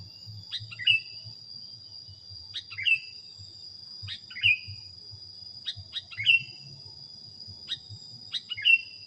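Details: A sooty-headed bulbul sings short, bright falling phrases roughly every one and a half to two seconds, on a recording meant for training cage birds, with a persistent shrill insect tone in the background.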